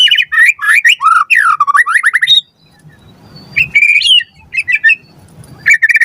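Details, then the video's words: Recording of a white-rumped shama meant to train captive birds to sing: fast, loud whistled phrases swooping down, a short quiet gap with faint background hiss, then more bright rising whistles. "Pancingan Murai Batu Gacor Auto NYAUT Cepat RESPON Buat Masteran Burung Murai Agar Gacor Full Isian"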